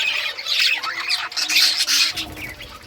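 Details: Budgerigars in rare colours at play with toys, June 18, 2023, producing scratchy squawks and chattering bursts that fade near the end, leaving faint low background rumble.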